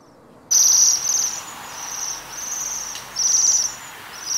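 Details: Waxwings among rowan berries: half a second of quiet, then high, metallic trills that fade and return in bursts, with a short sharp click partway through.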